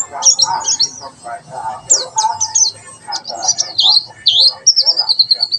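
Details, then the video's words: Tembakan sejalur white-eye singing: jumbled, twittering high notes in uneven clusters, ending in a rapid trilled run, mixed with lower chatter and faint background music. "Pleci tembakan sejalur"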